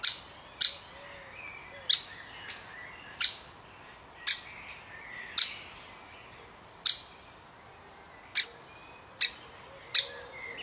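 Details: Baby woodpecker being fed, one of a family of woodpeckers; sharp, clipped high chirps ring out singly at uneven gaps of about one second, with faint low warbling in the background.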